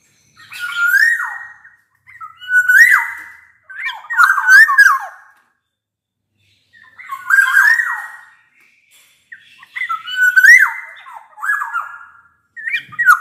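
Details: Repeated liquid whistles of a black-naped oriole singing vigorously as a lure for silent orioles: six separate swooping, flute-like phrases over about thirteen seconds, with a longer pause in the middle.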